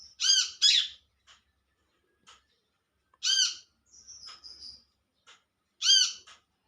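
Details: Olive-backed sunbird calling to companions in the wild: pairs of bright, buzzy harmonic notes recurring about every three seconds, with scattered soft ticks and a thin high trill between them.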